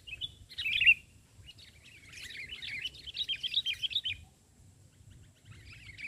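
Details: A sooty-headed bulbul is lured during bird trapping and sings on the ground instead of a branch. A loud single chirp is followed by a run of fast, twittering, warbled notes, then a quiet pause and a few softer chirps.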